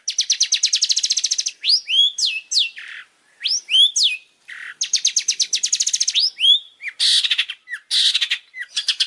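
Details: Long-tailed shrike champion master song, used to train other birds: fast repeated whistled trill, then sweeping rising and falling notes and harsh bursts, returning to the trill. Clean recording, no other sounds.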